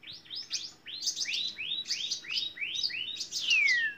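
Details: Canary singing in a long-duration training recording for songbirds: fast series of high rising chirps rolled together, ending in a long clear downward-sliding whistle.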